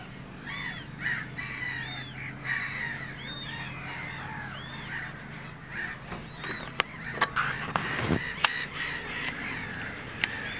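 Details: Two Eurasian coots feeding their small chicks give a stream of high, arching squeaky calls, several overlapping every second, with sharp clicks and a steady low hum underneath.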